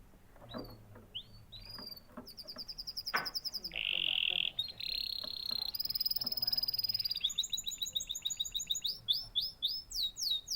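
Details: Canary singing: scattered soft notes build into a harsh rattle, a high fast trill, then a long series of rapid repeated swooping whistles.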